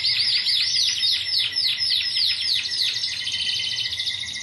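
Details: Greek Timbrado canary song from a 2009 team: rhythmic, swooping pulses repeated several times a second, softening into a fine steady trill in the last second.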